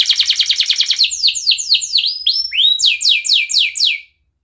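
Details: Canary in breeding condition challenging a rival, played as a learning lure for young canaries: quick repeated downslurred notes giving way to slower, loud sweeping whistles before the song stops abruptly.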